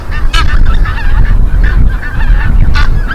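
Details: At Midden-Delfland, Netherlands, on 18 January 2020, a flock of greater white-fronted geese keeps up a steady chorus of high, yelping, overlapping honks over a heavy low rumble of wind.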